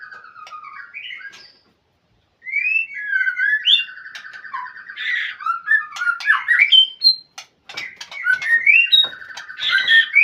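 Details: White-rumped shama calling a rival, with a short whistle, a pause, then an energetic stream of trills, rising whistles, harsh squawky notes and clicking, dense and continuous to the end.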